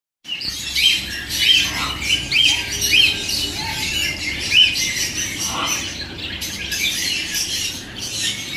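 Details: Bonding pair of turquoise parrots trading short, high, thin chirps at irregular intervals, backed by a steady hissy background.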